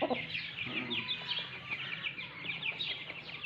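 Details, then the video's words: Lasani mother hen calling her chicks, with busy overlapping high peeping from the chicks and low background clucking throughout. "Mother chicken sound for Chicks || Lasani murghy ke awaz"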